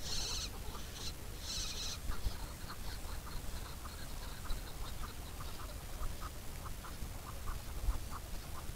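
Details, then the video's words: Chukar giving a long run of short, evenly spaced clucking notes, mid-pitched and rhythmic, after a few loud hissy bursts at the start, with steady low rumble underneath throughout. "Alectoris chukar Πέρδικα"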